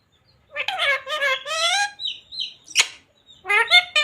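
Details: Pet parrot mimicking the words "Radhe Radhe" indoors; a few harmonic, voice-like syllables with rising and falling pitch, then a sharp click and a final burst of speech-like sounds.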